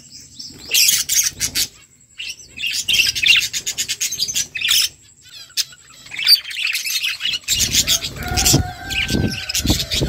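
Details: Budgerigars feeding together, bursts of rapid high chirping and chattering trills separated by short pauses, with a few clearer whistled tones near the end and soft low rustling.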